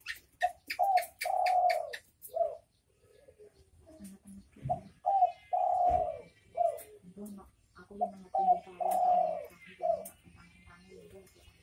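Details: Derkuku, the spotted dove, repeating its 'bekur bekur' cooing phrase several times: short soft coos framing a longer sustained note. Some brief sharp sounds are heard at the start, and low murmurs come between phrases.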